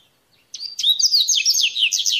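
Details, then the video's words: Wild coleirinho (Double-collared Seedeater) singing the mateiro style of song in nature: after a brief silence, a fast run of high, slurred whistled notes and buzzy sweeping trills, lively and continuous for about a second and a half. "Esquenta qualquer coleirinho com esse canto mateiro"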